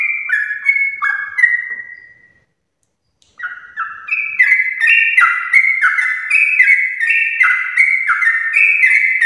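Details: Morning 'ropel' song of a sooty-headed bulbul, used to stir other bulbuls into singing: rich descending bubbly phrases, a full second of silence after two seconds, then a quickening, overlapping run of repeated notes.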